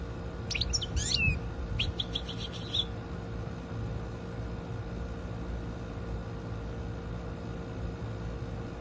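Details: Goldfinch giving a short burst of song: a quick tumble of high twittering notes, then a fast run of repeated chirps, stopping after about three seconds and leaving only a low steady background hum.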